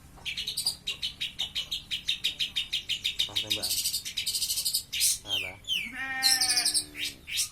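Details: A caged long-tailed shrike out for sunning sings energetically in 'grojogan' style: a fast run of rapid, evenly spaced sharp notes, about four a second, then harsher, varied chattering phrases and descending slurred notes.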